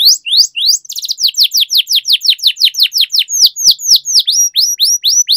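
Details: Training song for canaries, a loud Indonesian gacor ngerol panjang long roll: a steady, rapid string of sweeping rising-falling whistled notes, several each second, with sharp clicks midway and no other sounds.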